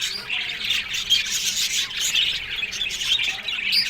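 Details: Australian budgerigar colony in an aviary: dense, continuous high chirping and scratchy warbling from many birds at once, with squawky notes and a few clear whistled pips over the steady chatter.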